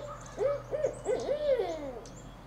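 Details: A Barred Owl, recorded close up, gives courtship hooting: a quick run of deep, wavering hoots with rising and falling inflections, clear over a faint steady hum.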